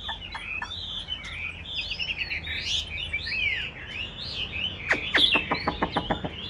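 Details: Chinese hwamei, a caged bird, sings continuous looping whistled phrases that rise and fall, ending with a burst of dry, rapid clicks.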